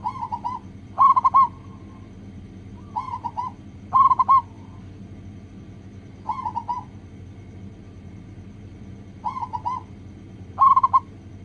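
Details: Zebra dove of a local strain singing as a lure to get others calling: bubbly, rapidly pulsed coo phrases repeated in pairs every few seconds, a softer phrase followed by a louder one, over a low constant hum.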